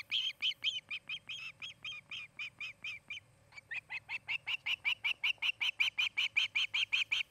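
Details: Osprey calling at a nest in Charlo, Montana, captured by nest camera on 8 August 2018 in the afternoon; rapid shrill whistled chirps, a brief gap, then a longer even run of piercing yelps.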